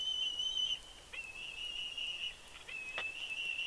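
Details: Wild bald eagle on a Big Bear nest, picked up by a live nest camera, giving sustained high whistles that waver slightly, broken into three drawn-out notes with soft taps between them.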